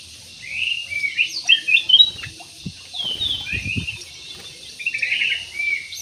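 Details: Chirping jumbo budgerigars in an aviary give short, high squawky notes in quick clusters, with a few low knocks or taps partway through.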